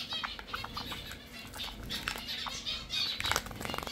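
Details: Several Java sparrows, kept as pet finches, keep up a busy run of short chirps and ticks over steady low hum and rustling, the notes coming quickly and irregularly.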